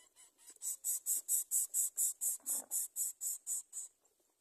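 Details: Nestling greater coucal swallowing food as its mother tends it: a run of about fifteen sharp, hissing rasps, evenly spaced close to two per second, then trailing off into quiet, with one low rustle partway through.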